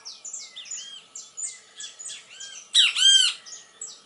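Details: Great kiskadee (bem-te-vi) singing in nature: quick high, downslurred chips about four a second, then a loud, harsh burst of arched notes, with a faint steady hum underneath.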